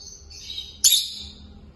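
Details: Peach-faced lovebird pair, caged and curious about the camera, chirping: soft high whistled notes, then one sharp, loud, shrill chirp near the middle that fades quickly.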